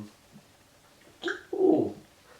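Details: A female pet African grey parrot, affectionate while being scratched, gives a brief raspy squawk, then a low, throaty, half-second grumble, which is her sound indicating contentment, in a quiet room.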